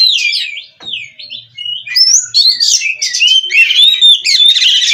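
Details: Captive-bred Oriental magpie-robin (kacer) from Cirebon in full, continuous song: a brief pause, then rapid high whistles, upslurred notes and buzzy trills tumbling quickly one after another.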